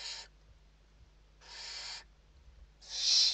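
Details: Barn owl nest interior, Spain, evening feeding on 29 November 2023: three breathy, scraping screeches, the last loudest, separated by pauses of over a second.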